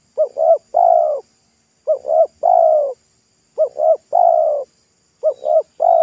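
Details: Wild local spotted dove singing by a road during a lure-trapping attempt, voice thick and loud in pesom style. Regular phrases of two short rising coos then a sustained rolling coo, four times, about every 1.7 seconds.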